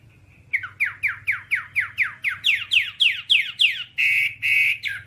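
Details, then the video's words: Whambie tutor song for training caged birds to sing and compete: a fast series of about fifteen descending slurred notes, roughly three per second, ending in a harsh buzzy rasp, with faint low hum behind. "Masteran Whambie nonstop 1 jam"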